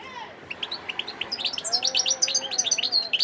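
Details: European goldfinch, a wild bird from Sidi Bel Abbes, Algeria, December 2021, delivering rapid high twittering notes that build into a dense liquid jangle, with a faint low drawn-out whistle beneath.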